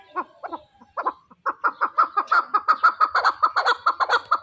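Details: A chukar partridge kept as a fighting bird calls in a fast series of chuck notes that start spaced and hesitant, then quicken and run together into a steady, rhythmic chattering stream.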